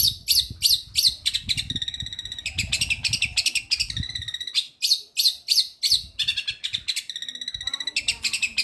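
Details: Long-tailed shrike singing mimicked sparrow-fight and other material: loud rapid bursts of harsh, buzzy chirps alternating with short high trills, nearly continuous throughout, over steady low background noise.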